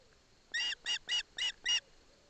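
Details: Osprey chick with its mother in Barlinek Forest as the father delivers a fish: five strong, piercing, slightly buzzy chirps in an even row, each about a fifth of a second long.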